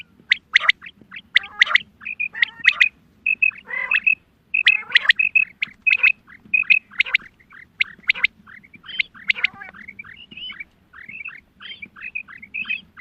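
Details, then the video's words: Female quail calls for hunting: repeated rasping bursts alternate with short high paired whistles and downslurred notes, several birds calling together above a constant low hum. "Batair ki awaz Quail sounds Садои бедона мода bedana ovozi بٹیروں کی سپیشل شکاری آواز"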